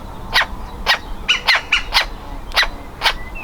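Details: Young woodpecker trying hard to get out of the nest hole, close to fledging: harsh, slightly nasal calls about every half second, a few doubled.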